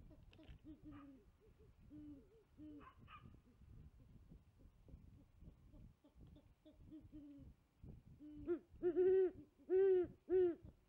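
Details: Great horned owl female at a tree nest at 5 pm, live nest camera, male and possibly a distant second female calling; soft, low hoots repeated through a noisy background, then a run of loud, deep hoots near the end.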